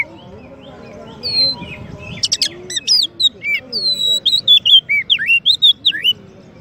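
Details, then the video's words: A champion Oriental magpie-robin's song, used as a master to train white-rumped shamas: a rapid, varied run of clear whistles, slurred rising and falling notes and brief buzzy chatters, over a low murmur of background sound. "Kacer Juara untuk Masteran dan Pancingan murai batu"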